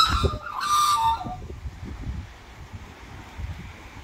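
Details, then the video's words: Two Australian magpies on an apartment balcony at Lake Macquarie, New South Wales, on a windy January 2023 morning, giving a brief burst of rich, fluting song in the first second, then low rumbling handling or wind noise. "Serenaded by Australian Magpies"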